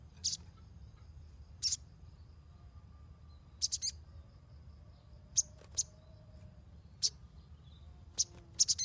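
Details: Ruby-cheeked sunbird, a lure for untrained birds, repeating piercing high chirps, singles and quick doubles or triples, every second or so over nearly nine seconds, with a low background hum.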